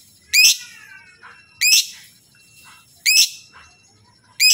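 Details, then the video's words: Lively lovebird giving loud, harsh chirps to prompt replies from other lovebirds; each burst is short and sharp, spaced about 1.4 seconds apart, with soft warbled notes trailing after. "Jenis Lovebird Apapun Kalau dengar Lovebird ini pasti Nyaut Gacorrr"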